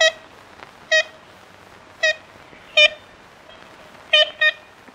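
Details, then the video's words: Ivory-billed woodpecker, a critically endangered or extinct North American species, giving six short, nasal, tin-horn-like toots at irregular intervals, ending in a quick double note, over a faint background hiss. "Canto do Pica Pau Bico de Marfim | Ivory Billed Woodpecker Singing"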